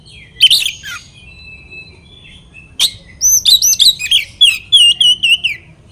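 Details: Oriental magpie-robin song meant to provoke rivals: a rising chip and long steady whistles, then a fast rolling series of looping, warbled notes repeated about three times a second.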